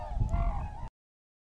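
A tundra swan gives one brief, nasal, slightly wavering honk under a heavy low rumble of wind.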